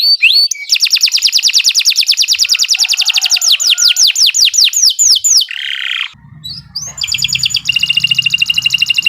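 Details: Nonstop canary singing recorded for tutoring: a long fast trill that slows into loud falling swoops, a harsh buzzy note, a pause, then a steady rapid trill, with low hum in the later part.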